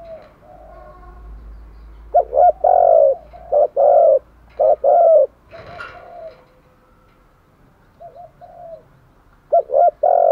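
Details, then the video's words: Spotted dove decoy for luring wild doves: a burst of rapid, loud paired coos, a pause with soft low notes, then the coos resume at the end. "chim cu mồi thúc gù bài bản nhất hiện nay, chim cu gáy kích bổi hiệu quả nhất hiện nay"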